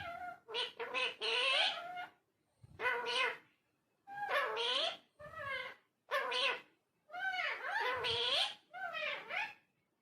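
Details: Parrot producing rough, voice-like phrases in bursts about a second long, each with wavering pitch, separated by short silences.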